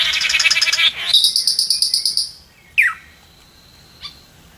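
Red-capped manakin giving high, rapid buzzy chatters, then a sharp descending note and a thin sustained whistle, ending with a brief click.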